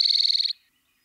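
An Eastern towhee gives a half-second buzzy trill of fast, even pulses at a high, steady pitch, then falls silent.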